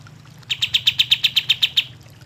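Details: Cream-vented bulbul in lively song, used as a lure to get lazy birds of its kind singing: a quick burst of about eleven short, sharp, evenly spaced high notes over roughly a second and a half, then quiet with a low hum.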